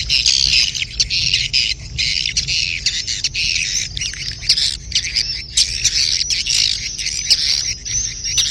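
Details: Swiftlets giving a breeding-season mating call, locally styled birahi beranak: a dense, continuous chorus of buzzy, high twittering chirps from many birds overlapping, with a steady low rumble underneath.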